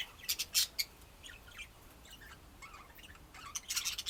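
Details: Budgies chattering with sharp clicks and squawks at the start and end, soft wavering chirps in between.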